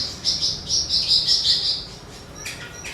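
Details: Javan bush lark song played to spur other songbirds: a quick pulsing high trill lasting under two seconds, followed by a few faint thin whistles.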